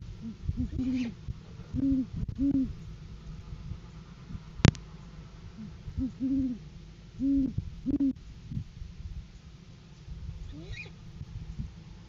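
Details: Great horned owls in January courting season on a farm camera, 2023, the male bringing prey as a gift for the female. Soft, low hooting comes in paired bursts repeated every few seconds, broken by one sharp click, over steady low hum.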